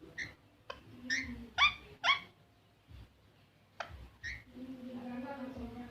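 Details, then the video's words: Green parrot giving short, harsh, nasal squawks in loose bursts, several close together around the middle, with low murmuring voices and faint background noise. "green parrot"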